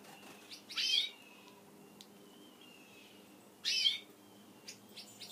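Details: Pet Gouldian finches, growing tame while eating their favourite food, give two short, thin, high chirps about three seconds apart, with faint softer notes and quiet background hum between them.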